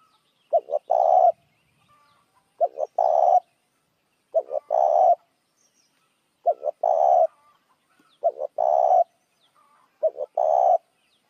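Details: Lure call of a spotted dove, repeated six times at about two-second intervals; every phrase has two quick introductory notes and then a drawn-out coo, with silence between.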